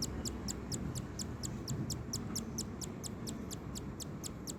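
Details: Cockatiel, likely a two-day-old chick being fed by its father, giving a fast run of thin, high, downslurred peeps over a low background rumble.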